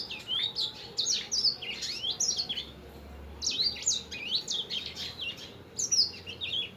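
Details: Masteran recording of a Sanger bird singing actively: two long bursts of fast, high chirps and rising and falling whistles, separated by a short quiet gap, over faint low hum.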